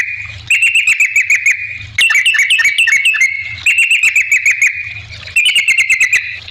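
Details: Yellow-vented bulbul singing as a lure to make other bulbuls answer: four lively chirping phrases with quick stuttering notes, each ending in a short whistled flourish, clicks running through.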